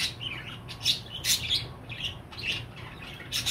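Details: Pet budgerigar chattering with quick high chirps and short rough squawks in irregular bursts, the louder notes coming roughly every half second over a low indoor hum.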